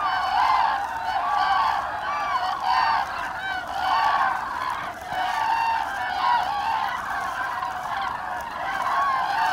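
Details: Common cranes on autumn migration, Lahn valley route over Hesse, Germany, 25 October 2021: bugling calls from a large flock come in rhythmic bursts roughly every second, loud and overlapping.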